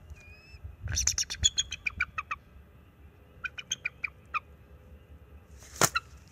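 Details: Bald eagles guarding their nest against an owl, March 7, 2024. The male voices a long series of high, staccato piping notes stepping downward, then a shorter second series and one loud harsh burst near the end.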